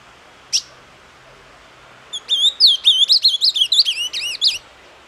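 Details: Ultramarine grosbeak (azulão) singing the song style known as 'doce amargo': a single sharp call note, then a fast phrase of about a dozen slurred, warbled whistles rising and falling, lasting over two seconds in quiet surroundings.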